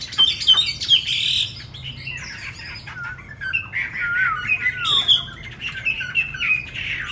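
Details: Caged, tame Chinese hwamei, newly brought in, gives a varied medley: a few sharp whistles, then quieter warbled and slurred notes with some clicking.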